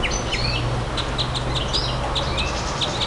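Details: Nightingale singing: short, sharp, high chirps and brief trilled notes repeated at irregular intervals, with a steady low hum underneath.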